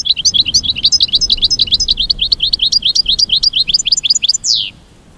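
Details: American goldfinch mating song: a long, rapid, continuous twitter of high, bright chips and short warbled notes, ending in a sharp descending slurred note, then quiet.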